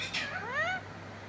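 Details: Pet parrot talking, with phrases like mitthu mitthu: one loud, harmonic, speech-like utterance under a second long, starting with a breathy onset and then gliding upward before falling away, with faint background hum.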